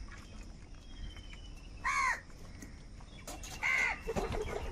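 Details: Crows calling while fighting over food: two loud, harsh caws about two seconds apart, each a short rasping burst with strong overtones, over a low background rumble.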